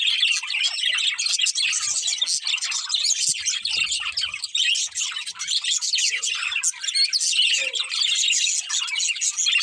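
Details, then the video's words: Continuous budgie chirping from a breeding pair, a thick mix of sharp tweets and buzzy warbles, with faint low thumps around the middle. "Cute Budgies Chirping Sounds"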